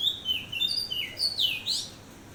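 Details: Oriental magpie-robin at dawn giving a rapid string of sweet whistled notes, some level and some sliding down or up, flowing together in a bright, varied phrase that fades near the end. The background is quiet.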